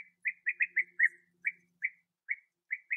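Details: A bee-eater at its last nesting burrow, where young are still being fed, on a sunny, 21°C day on 8 August 2017, gives about ten short, rolling, burry notes in a quick, uneven series, close together at first, then spreading out.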